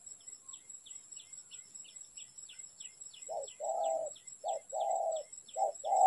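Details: Spotted dove calling during trapping in Vietnam: after three seconds of faint, steady high ticking, low hoarse cooing notes start and come in short, uneven bursts, with some notes drawn out and some clipped.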